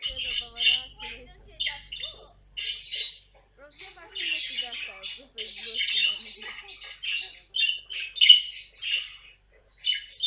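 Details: Pet caique giving harsh, raspy squawks and chattering bursts, high and scratchy, nearly continuous with short pauses; some speech-like mumbling mixed in.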